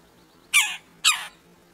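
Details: Red-breasted woodpecker, one of two at a squirrel feeder, uttering two rasping, squawky notes about half a second apart over a faint low hum.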